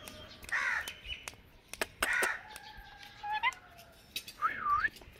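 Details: Indian ringneck parakeet uttering harsh, raspy squawks mixed with clear whistled notes that rise and dip in a wavy sweep, several bursts within a few seconds, interspersed with sharp clicks and knocks close by.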